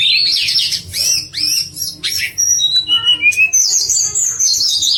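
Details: Sweet pied fantail song meant as master material for contest birds, opening with scratchy downslurred notes, then clear descending whistles and a long high twittering run.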